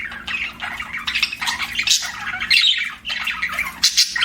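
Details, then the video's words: Pet budgerigars give raspy, buzzy chatter and squeaky chirps in uneven bursts with a couple of brief pauses, over a soft low background rumble. "BUDGIE CHIRPING SOUNDS"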